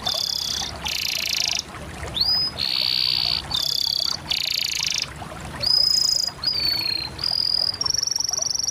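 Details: Canary in full song: repeated thick buzzy rolls, a few rising whistles, then clear level whistled notes and thin high tones toward the end.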